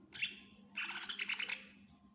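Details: Greater green leafbird in full, energetic song for training other birds: a short whistled note, then a dense, blurred burst of rapid chattering phrases, with a steady low background hum.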